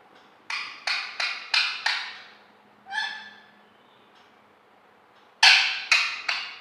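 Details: Pet parrot vocalizing: a quick run of five harsh, broadband syllables, a single softer tonal call with stacked overtones, then three more loud raspy notes near the end, with a faint steady hum in the background.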